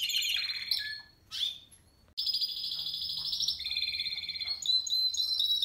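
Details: Spanish Timbrado canary of 2017 sings broken phrases with short pauses, then long rolling trills at two pitch levels and a closing high chirped sequence.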